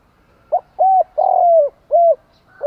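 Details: Morning lure call of a spotted dove meant to draw and rouse wild doves. A clean four-part coo: a clipped low note, a hollow coo, a long purring coo sliding lower, and a rounded closing note, with little else audible.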